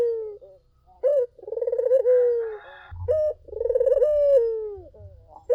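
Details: Collared dove song used as bait to make other doves respond: short abrupt notes alternate with extended, throbbing coos that droop at the end, with some low rumbling noise in the middle of the clip.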